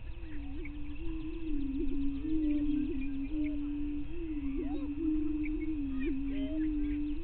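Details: Greater prairie chicken lek at 5:30 AM, 9 May 2023, on Bluestem Prairie Scientific and Natural Area, northwestern Minnesota. A continuous low moaning tone carries brief upward flicks, with occasional short, rising whoop-like notes above it.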